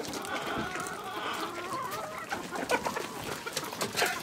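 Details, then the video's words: Several chickens in a village, with soft clucks and wavering calls mixed into loud, hissy outdoor noise, and sharper clicking sounds toward the end. "Dinlendirici Tavuk Sesleri Doğal - Köy Sesleri"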